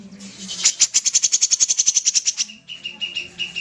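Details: Common iora singing energetically: a fast run of harsh, scratchy chips, about seven per second for two seconds, then softer chips mixed with short steady whistled notes, over a low background hum.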